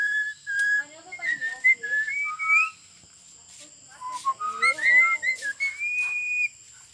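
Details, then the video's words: Talking Javan myna kept as a family pet, giving a string of clear, varied whistled notes, some rising and some sliding, in two bursts separated by a short pause, with a steady high electrical whine behind. "BURUNG JALAK BISA NGOMONG"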